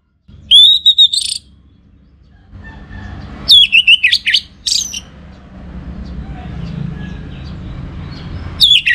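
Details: Orange-headed thrush giving a pancingan lure song: short bursts of high, sharp whistled notes with rapid ringing trills, phrases separated by pauses of a few seconds, over a low steady background hum.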